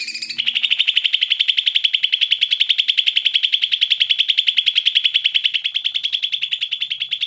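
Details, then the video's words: Greater green leafbird song meant as a lure for leafbirds that are slow to sing: after a short buzzy start, a long, fast and even series of high, clipped chirps continues without a break. "CUCAK IJO GACOR, COCOK BUAT PANCINGAN CUCAK IJO MALES BUNYI"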